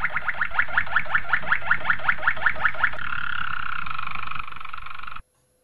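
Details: Training song of a Malinois Waterslager canary for young canaries: a regular series of rising notes, about six per second, merging into a smooth continuous roll before ending abruptly.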